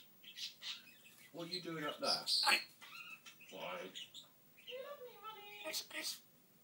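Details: Pet African grey parrot talking: a string of mimicked speech-like phrases and whistled, squeaky syllables in short bursts, some rising and falling in pitch, with brief pauses between utterances in a quiet indoor setting.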